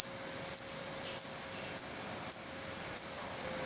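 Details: Feathered Black Redstart nestlings in Portugal, 17 May 2020, hungry and growing fast. Shrill, high squeaky begging notes are repeated about three times per second, each starting sharply and trailing off.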